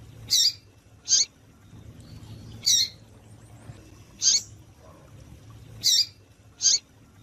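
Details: Female double-collared seedeater giving calls to excite males: sharp high chirps repeated in pairs, six in about seven seconds, over a soft low background hum.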